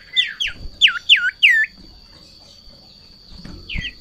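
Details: A highly aroused Sirtu, hopping on seeing a rival or female, calls with five loud hooked whistles that sweep down, then a quiet pause and a short final pair of notes. A constant thin high tone is present.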